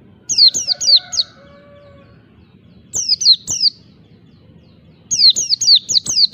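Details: Oriental white-eye giving ngalas wild-type song to challenge rivals: three separate bursts of four to six shrill, falling whistles, separated by pauses of about two seconds, with a low background hum.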